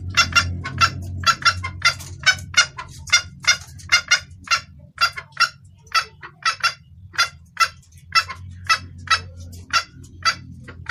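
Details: Female red junglefowl calling the male, clear call suited to luring males: a long run of short, bright clucks, steady at first, then slightly slower with a brief gap, over faint low rumble.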